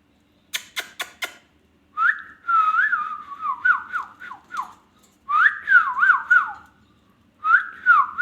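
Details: Ringneck parrot: three sharp clicks, then long runs of looping, wavering whistles that slide downward in steps, broken by short pauses.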